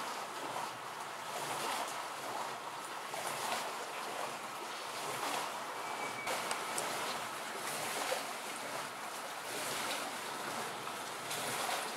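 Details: Steady broadband wash of surf and wind with no animal voices. The hiss holds evenly throughout, with only faint brief clicks and no calls rising above it.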